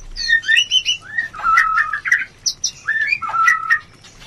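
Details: White-rumped shama mating call for stimulating breeding desire, with rapid clear whistled slurs, some rising and some dropping, run together in short bursts with brief pauses between phrases.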